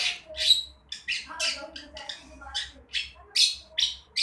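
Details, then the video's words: Loud rasping squawks and scratchy notes from a young long-tailed shrike practising its song, spaced irregularly with short gaps, one ending in a thin whistled tail. "Si Cendet Lagi Belajar Berani Bersuara"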